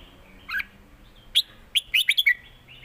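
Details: Caged red-whiskered bulbul in a singing duel, Thai southern master-style song: one soft whistle, then a quick cluster of five clear, ringing whistled notes with rising and falling inflections.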